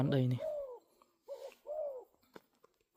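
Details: Spotted dove giving two mellow, drawn-out coos that bend downward, the second longer than the first. A man's voice speaks briefly just before, and a few faint knocks follow.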